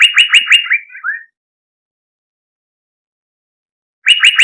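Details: Greater green leafbird singing a fast string of sharp chirps that trails off into lower, slurred warbling notes; a long silence follows before a new burst of rapid chirps begins.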